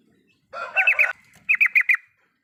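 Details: Yellow-vented bulbul in full riwikan song as a lure for a silent bird: a harsh, buzzy rasp, then four clear, rising-falling chirps in quick succession.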